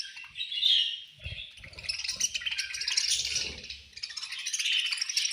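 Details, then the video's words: Budgerigars chirping at feeding time, a constant mass of high, raspy twittering from several birds, with one clearer whistled note early and light tapping and knocking noises below. "Beautiful Budgies Chirping Sounds"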